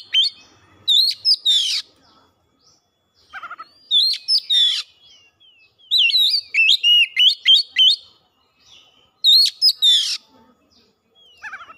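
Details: Oriental magpie-robin (kacer) singing in a fast, busy gacor style, used as a lure to set off other birds' full mimicked repertoire. Bursts of high whistled, twisting notes and sharp chips arrive in four clusters, each separated by short silences.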